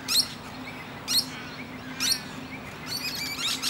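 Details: Musk lorikeet sitting in a tree, chatting to other birds: three loud, grating screeches about a second apart, then a softer buzzy rattle, with a low hum throughout.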